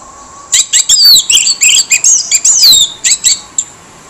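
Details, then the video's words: Harsh-voiced orange-headed thrush song used as a lure: a dense, loud outpouring of sharp, high chips, squeaky slurred whistles and scratchy notes in quick succession, ending with a few spaced calls. "PANCINGAN ANIS MERAH SUARA KASAR YANG DIAM LANGSUNG RESPON"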